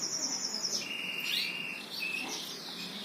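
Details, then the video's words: High chirping trill that drops into a long steady whistled tone, followed by a shorter whistle, heard over a hissy, noisy background. "Burung Pada Berkicau"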